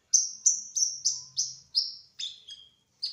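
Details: Olive-backed sunbird of the speckled 'trotol' type, singing energetically in the 'ngerol' rolling style: a quick series of high, thin, downslurred whistled notes, about three per second, ending in a few lower, flatter notes.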